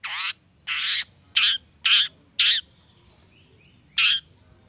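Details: Long-tailed shrike calling to provoke other shrikes: harsh rasping squawks repeated roughly every half second, six loud bursts with faint thin whistles in the gap.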